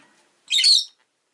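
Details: Rosy-faced lovebird kept as a pet, one of two newly arrived birds, letting out a single loud, harsh, high squawk lasting about half a second in an otherwise quiet room.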